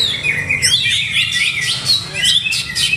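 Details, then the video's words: Greater green leafbird kept in a cage for song contests, delivering quick slurred whistles and sharp high chirps in a tumbling, unbroken phrase. "CUCAK HIJAU"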